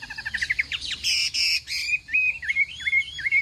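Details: Hwamei song at a morning contest: rapid stuttering notes and rising sweeps, two loud broad rasping bursts, then clear wavering whistles that dip and rise.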